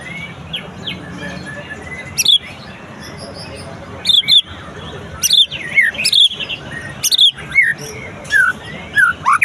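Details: White-rumped shama song after the moult. Loud phrases separated by pauses of about a second or two, each a bright downward-slurred whistle with sharp high notes, over a faint background murmur.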